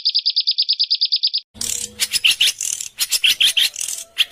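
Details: Masteran recording of harsh 'kasaran' bird sounds used to tutor caged and contest birds: a quick run of evenly spaced high chips gives way to loud, scratchy, noisy chatter in rough bursts.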